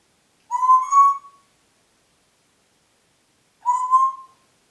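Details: A Congo grey parrot in Diebach near Hammelburg, Germany, on 4 April 2012 gives two clear, slightly rising whistles about three seconds apart. Each lasts under a second, with silence between.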